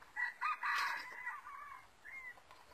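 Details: Wild red junglefowl drawn in by a lure, giving a crow: a few short harmonic bursts, then a longer sustained hoarse phrase trailing off into a final rising note, over quiet forest background.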